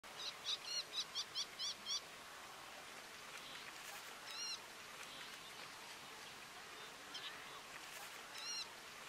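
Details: An Isabelline shrike at Bharatpur, India, in November 2023 gives a quick run of about eight harsh, chattering notes in two seconds, then a few scattered single notes over a steady hiss of background noise.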